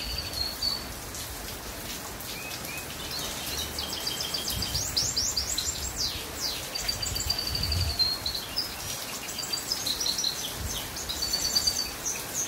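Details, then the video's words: On a rainy day, a goldfinch mule sings in bursts of high, thin whistles and quick twittering phrases over a steady wash of rain noise. The song grows busier toward the middle and end. "Goldfinch mule singing in raining day ~ 配种金翅燕雨天歌唱"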